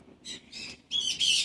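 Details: Pet cockatoo chatting with its owner, apparently saying "hi Sassy": four short, harsh, raspy bursts of bird speech, the last two louder and more strident, with a faint low hum underneath.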